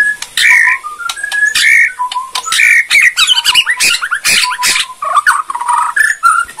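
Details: Borneo white-rumped shama in kretekan song, used to stir other shamas to answer: loud varied whistles and fluty slurs mixed with harsh rattling bursts and clicks, delivered in quick, uneven phrases.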